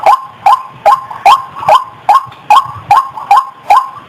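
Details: White-breasted waterhen lure call, used to draw birds out of bushes toward the sound: harsh, clipped notes around one kilohertz, each with a sharp click-like attack, repeated steadily about two and a half times per second.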